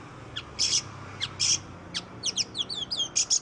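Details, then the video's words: Short burst of Oriental magpie-robin song meant to encourage others to sing: loud harsh rasping notes spaced about a second apart, then a quick series of high twittering slurs and more scratchy bursts. "Suara burung kacer Kacer ngoceh Kacer gacor"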